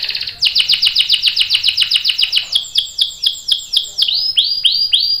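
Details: Canary in long rolling song used to get other canaries singing: a rapid series of down-slurred chirps, about five per second, slowing into wider swooping notes that rise at the end.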